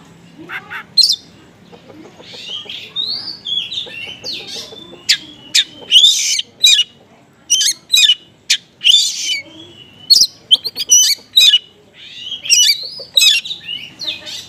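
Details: Oriental magpie-robin delivering 'konslet' style song mixed with small-bird material, intended to lure other magpie-robins: dense varied phrases of buzzy chatters, sharp clicks and slurred whistles in quick bursts.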